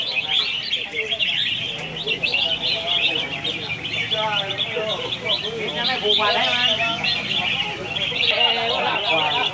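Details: A singing contest of red-whiskered bulbuls in Hat Yai, Songkhla, Thailand: a constant wash of quick, high warbling notes from several birds at once, with people talking in the background.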